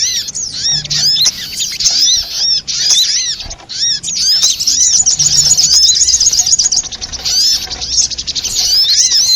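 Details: Spiderhunter known as sogok ontong, in a trapping lure: scattered sharp squeaky notes at first, then a steadier, dense, high-pitched chatter of rapid chirps.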